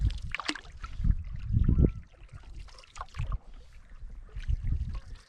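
Paddle strokes and water splashing and gurgling around a canoe, with no animal calls.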